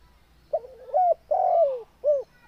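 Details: Spotted dove giving a coo phrase: a short tonal note, a longer wavering coo, then a drawn-out falling coo and a brief final note, all low and mellow, with faint low background hum.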